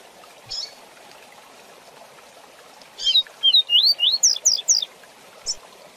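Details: Coleiro seedeater in the rapid 'tui tui zel zel' song used for tutoring young birds: a soft chip, a pause, then roughly ten brisk swooping whistles that climb in pitch before one detached closing note.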